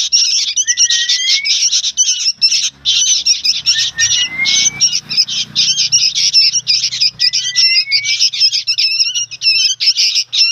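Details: Juvenile sooty-headed bulbuls chatter loudly and continuously with harsh squawks, broken by a few thin rising whistled notes, and a brief low rumble in the middle.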